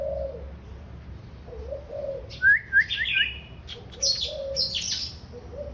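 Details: Daurian redstart singing a cheerful chattering song of sharp rising chirps and high scratchy phrases, while a dove coos softly and low in the background.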